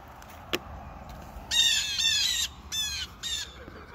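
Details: Wild blue jays in a tree outside a bedroom window, waiting for peanuts; one long harsh, raspy call of about a second, followed by two shorter grating bursts, over a faint low background hum with a single click.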